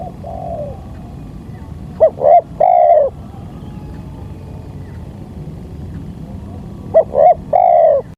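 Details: Spotted dove lure call used to attract a very vocal wild bird calling from above, which comes down but will not approach the lure. Two bursts of three mellow coos, a short note then two longer rising-falling coos, five seconds apart over low background hum.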